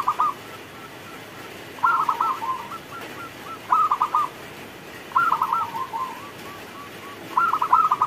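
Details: Rain-time song of a local zebra dove: short bursts of fast, stuttering coos separated by pauses, each burst tailing off into faint rolling notes, over a soft wash of hiss.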